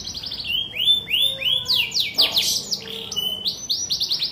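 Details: Canary song of repeated downward-sweeping whistles linked into a trill, then a sharp rapid burst of clicking notes in the middle, settling back into quick descending whistled phrases.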